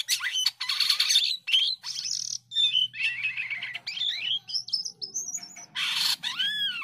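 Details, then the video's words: Varied, rich song of a white-headed starling from Indonesia, known locally as jalak kapas: rapid chattering bursts, harsh buzzy notes and fluid whistled slurs run together almost continuously, ending with a rising-falling arched whistle. "JALAK KAPAS GACORR meliuk liuk suara indah penuh materi"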